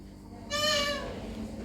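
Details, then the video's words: Alexandrine parakeet kept as a talking pet utters one loud, clear, meow-like word with a bright stack of harmonics lasting about half a second, then quieter room hum. "Alexandrine Talking Parrot"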